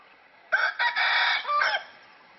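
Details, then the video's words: A rooster crows loudly: a harsh, buzzy cock-a-doodle-doo of about 1.3 seconds, broken by brief gaps into several parts with rich harmonics, followed by a quiet background. "Rooster Crowing Loud"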